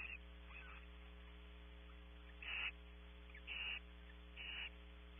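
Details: Barn owls in their nest cavity at Audubon Starr Ranch, California, heard through a camera during meeting and mating: short breathy screeching hisses, each under half a second, repeated about once a second, with a constant low electrical hum.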